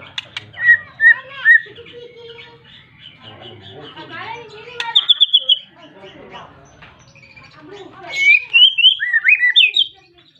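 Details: White-rumped shama calling a rival, a song used to provoke other shamas into singing; scattered whistles and chips, a quick burst of repeated high notes midway, then loud rising and falling whistled phrases near the end.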